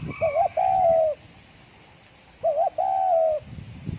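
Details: Spotted dove giving its quick 'thổ còi' call to rouse other doves: two phrases, each a short trembling double note running into a long mellow coo that drops slightly at the end, with a faint rustle.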